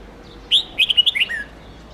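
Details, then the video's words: Red-whiskered bulbul delivering a long multi-note song for training young birds; a rapid phrase of about seven bright, liquid whistled notes, the final one slurring downward, over low background hiss. "Luyện chào mào Hót Nhiều Giọng âm 7-8-9-10 cực dài/Ép chào mào non,má trắng học giọng hiệu quả"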